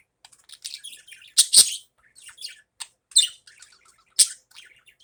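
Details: Morning budgerigar chatter, a run of high scratchy warbles broken by several loud sharp chirps, roughly one every second.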